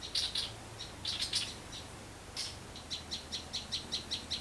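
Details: Backyard garden in the countryside with a sunbird calling: clusters of high, thin twittering notes, a short pause, then an evenly spaced string of bright chirps, over a low background hum.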